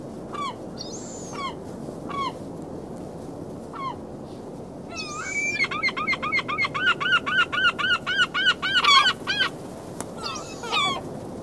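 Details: Gulls on a beach on February 27, 2016, at 19°F, give scattered harsh, nasal mewing cries, then a fast run of yelping notes, about four a second, over a steady wash of surf.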